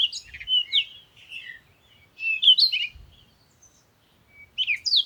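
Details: Busy bird song of quick chirps, trills and slurred whistles in clusters, a longer varied phrase in the middle and another burst at the end, with two soft low knocks.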